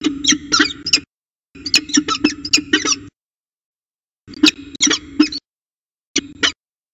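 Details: Peregrine falcons calling at their egg nest in Orange, CSU, New South Wales, 5 September 2020. Grating, squeaky notes come in choppy clusters, with two long runs, a pause, then a shorter run and a brief final burst.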